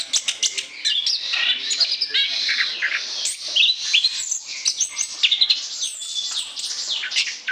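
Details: Lure song of an Orange-headed thrush: a busy, unbroken torrent of sharp chirps, trills and slurred whistles, loud and high-pitched, with notes overlapping in rapid succession.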